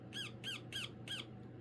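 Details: A young pet female Indian ringneck parakeet, in conversation with her owner indoors, gives four sharp, harsh squawks, each falling at the end, about three per second, over low hum. Rose-ringed parakeet.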